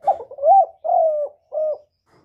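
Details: Spotted dove coo used as a lure for trapping and for stirring up kept birds: one clear phrase of a short note, a rising coo, a long falling coo and a final short coo.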